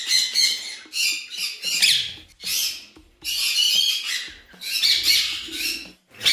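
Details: A captive grey-coloured rose-ringed (Indian ringneck) parakeet at a bird farm gives harsh, high screeching calls in bursts of about a second, separated by short pauses.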